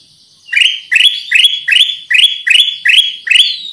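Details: Kutilang emas, the Black-crested Bulbul, used for luring: after half a second of near silence, a string of eight strong rising chirps follows at a brisk, even pace.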